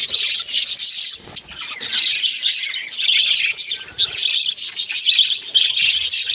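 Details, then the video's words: Many budgies in a home flock chirp and chatter nonstop, a busy high-pitched warbling mix of squeaks and twitters with brief dips in loudness. "Beautiful Bagies sounds video"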